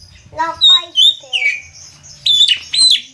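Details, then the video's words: Javan myna song, in gacor (energetic singing) style: a harsh rasping note, pure whistled slides rising and falling, then loud squeaky, chattering phrases, with faint low background hum. "Burung Jalak kebo konslet gacor"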